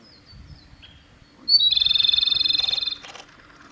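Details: Male Japanese robin singing at Yanagisawa Pass on 25 April 2021: a few thin high whistles, then one sharp note opening into a loud, fast, even rattling trill about a second and a half long, with a faint low rumble behind.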